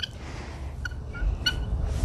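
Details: Free-roaming helmeted guinea fowl in a sunny zoo park give short, harsh, metallic calls, about four in two seconds, over a low rumble of wind and background noise.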